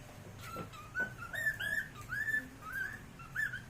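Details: Cockatiel (Nymphicus hollandicus), song.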